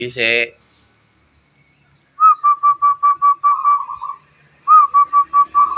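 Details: Wild-caught local zebra dove starting to sing: a short spoken word, a pause, then two phrases of quick, even, cooing whistled notes, each opening on a slightly higher note before the rest settle lower.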